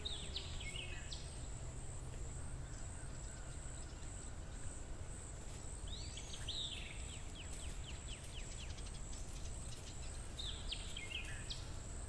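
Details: White-browed wagtail (Motacilla maderaspatensis) preparing to build a nest, giving brief bright chirping calls in three spaced bursts, over a steady thin high whine and a heavy low rumble.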